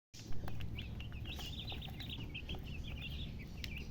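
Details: Chicken chirping: a quick run of high, thin peeps, closely spaced and slightly uneven, above a steady low rumble of background noise.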